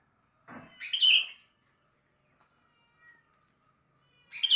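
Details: Sooty-headed bulbul in the morning giving a fluty, warbling whistled phrase, then a pause, and another phrase starting as the recording ends.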